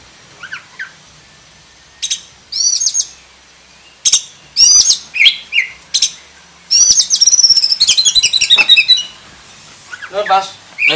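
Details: Black-breasted oriental magpie-robin (kacer dada hitam) performing a fill-rich mimicry song (isian) meant for tutoring: varied high chirps, whistled slurs and bursts of fast trilling in separate phrases, building into a dense rapid run before softer notes.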